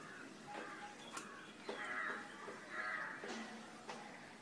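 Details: Eclectus parrot at home in Nawalapitiya, Sri Lanka: two rough, screechy squawks about a second apart, each under half a second, with scattered clicks and faint background noise between them.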